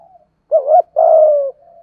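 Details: Single phrase from a spotted dove, used to make a long-silent caged dove coo: a looped, rising two-part note, then a long smooth coo sliding slightly down, with soft faint cooing before and after.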